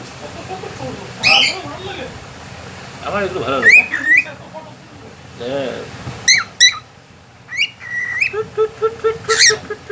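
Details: Pet cockatiel talking and singing: speech-like babbled phrases, then sharp whistled notes, a harsh squawk and a quick series of short chirps near the end, with human speech and music in the background.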